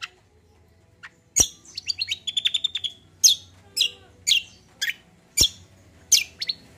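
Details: Common iora singing a gacor combo song used to encourage untrained birds to sing: a quick trilling string of thin high notes, then loud, sharp, downslurred chirps repeated at about half-second intervals.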